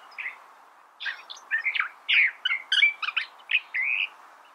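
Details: California thrasher pouring out a quick medley of clipped, varied notes, some sharp and rising, ending on a longer steady whistled phrase.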